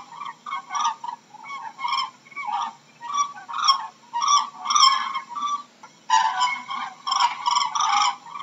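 Cranes trumpet in loud, rolling, harmonic bursts. Several birds call together, overlapping in quick runs for the whole stretch.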